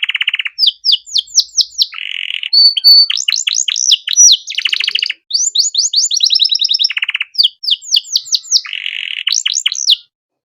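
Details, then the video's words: Chatty canary singing the cengkok mewah style, used to teach other songbirds its phrases. Low buzzy rattles open and recur between rapid sweeping trills, a short flat whistle and quick descending note series. "Masteran Kenari Gacor Cengkok Mewah Mudah Masuk untuk Burung Bahan"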